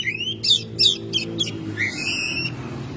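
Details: Domestic Oriental magpie-robin singing in May: a rising whistle, then four rapid rasping, chattering notes, followed by a sustained, richly harmonic whistled tone, with faint low humming behind.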